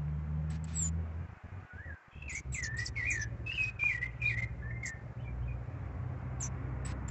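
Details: Rufous-bellied thrush singing in a backyard orange tree on the first Sunday of spring: slurred whistled phrases, rising and falling, given in a quick run, over a steady low hum.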